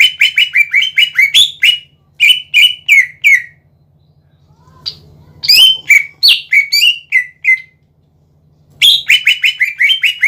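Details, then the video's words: Lively greater green leafbird song meant to make other leafbirds call back: quick strings of repeated slurred notes, a pause, then varied loud whistles and another rapid run, with a low hum underneath. "PANCINGAN CUCAK IJO GACOR"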